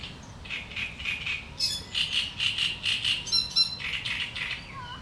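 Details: Great reed warbler (Acrocephalus arundinaceus) singing in reeds: a loud, harsh, grating chatter of rasping notes, about two a second, with a faint low rumble beneath.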